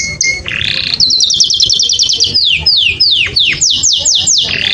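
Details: Mating song of a canary aimed at exciting females: short whistles, then quick high rolled notes, followed by widely spaced, steeply falling sweeps.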